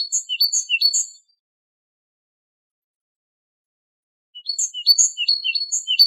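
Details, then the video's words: Great tit, called haddad in Morocco, singing on a tutoring recording: a short burst of high see-saw notes, a long silence, then the rapid repeated phrases return. "تغريد طائر الحداد"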